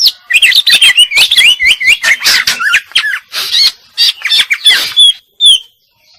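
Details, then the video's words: Female greater green leafbird singing a dense, fast run of warbled, looping whistles and sharp chirps, notes sliding up and down with barely a pause, ending on a few clear high whistles. "Burung Cucak Ijo Betina Gacor Isian"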